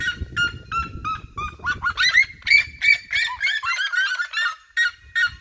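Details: Several red-legged seriemas in regional fields sing close around the recordist; evenly spaced yelps accelerate into a loud, overlapping chorus of shrill barking notes, with low rumble early on.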